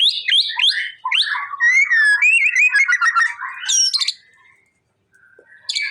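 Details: Male white-rumped shama, energetic and singing to provoke a response: clear rising and falling whistles, then a rapid series of repeated piping notes, a sharp high burst, and silence before a final note.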